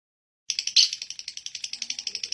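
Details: Lovebird chattering after a brief silence, a steady string of short, high, harsh notes repeated rapidly, one slightly louder note near the start, a faint low sound underneath.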